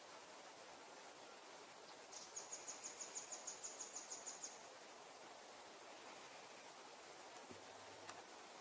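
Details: Velvet-fronted nuthatch collecting food from tree bark gives a quick burst of about fourteen thin, very high, sharp notes, roughly six a second, over a steady rushing background.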